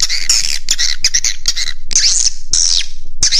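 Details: Roosting lure call of swiftlets, Raja Di Laut style, used to attract birds: separate sharp chirps and squeaky twitters, then several longer high, slightly falling squeals toward the end.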